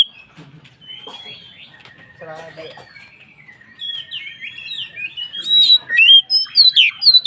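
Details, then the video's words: White-rumped shama in loud form, singing to provoke other shamas; quiet sliding whistles and a low raspy note at first, building to loud rapid sharp notes near the end. "SUARA BURUNG Kacer gacor untuk PANCINGAN KACER agar EMOSI dan KONSLET"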